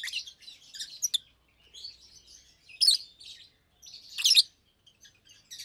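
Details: Two adult Fischer's lovebirds kept in a cage chirp by day: high, buzzy twittering runs with louder shrill peaks, irregular rhythm, nothing else audible.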